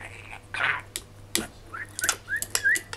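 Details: Male budgerigar, three and a half years old, kept as a pet and chattering excitedly at a mirror on a morning after rain: scratchy warbles, sharp clicks and short rising whistled notes in quick succession.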